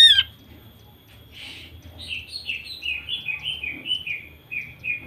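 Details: Greater green leafbird female, used to draw out singing males: a sharp opening squeak, then a long series of soft whistled notes, each sliding downward, evenly repeated about every quarter second.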